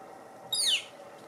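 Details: Juvenile northern flicker, newly out of the tree cavity and searching for food with a parent close by, giving one sharp, high, downslurred note lasting about a quarter second, in an otherwise quiet setting.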